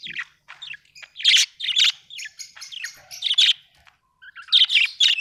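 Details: Budgie chirping in a lively run of scratchy warbles and sharp chirps, uneven bursts separated by brief pauses.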